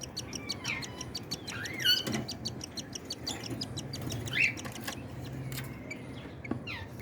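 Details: Cockatiel parents feeding their chicks. Rapid rhythmic ticking pulses run throughout, broken by a few short, squeaky rising whistles, over a steady low background hum.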